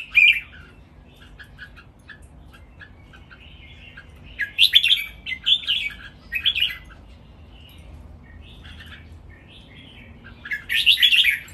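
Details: Caged red-whiskered bulbuls in a song session: repeated loud phrases of chattering, whistled notes, several in the middle and one near the end, with soft chirps between them.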